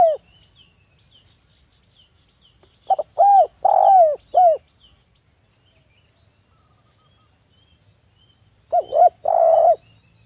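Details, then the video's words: Local Spotted dove cooing as a lure to draw replies from other doves. Three phrases, each of short coos rising into a longer descending coo, spaced several seconds apart, over a thin continuous high whine. "TEKUKUR GACOR suara merdu - PANCINGAN TEKUKUR AGAR BUNYI"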